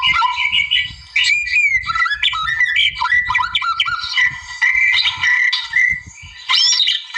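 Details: Wild white-rumped shama song used to draw a rival: a rich, varied stream of whistled and buzzy phrases, sliding and warbling, with brief pauses throughout.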